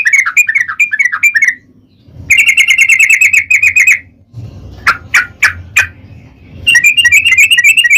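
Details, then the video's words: Lure recording of a yellow-vented bulbul singing long 'ropel' style: bubbly slurred phrases, then a dense rapid rattle, four sharp clicking notes, and a final chattering run over a low background hum. "trucukan gacor ROPEL PANJANG pancingan trucukan agar bunyi"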